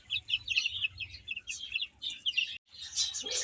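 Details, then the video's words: Chicks feeding and playing chirp in short high peeping bursts, several overlapping notes in quick runs, then a brief gap before a louder, busier cluster. "Cute Chicks Chirping Sounds"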